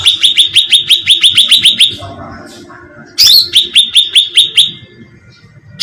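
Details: Cucak ranting, a bulbul, as a bait sound to attract birds: a run of quick sharp chirps, a quiet gap, then a rising whistle and another shorter chirp series.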